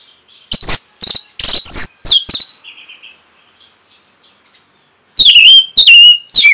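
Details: Orange-headed thrush training song for caged birds: loud, abrupt high notes and slurred whistles, a brief soft trill, quiet, then bold downward-sweeping whistles repeated in quick succession.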